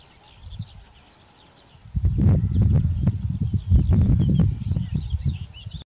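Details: Grasshopper warbler at Morton Bagot, 2020, keeps up its thin, level, buzzing reel from start to end, partly masked after two seconds by loud low crackling and rustling noise close to the microphone.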